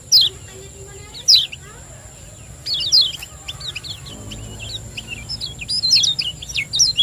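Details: Lombok lemon-bellied white-eye singing 'ciak joss' as a lure to prompt lazy birds to sing: isolated sharp high chirps early, building into quick clustered twittering toward the end, over a faint steady high tone.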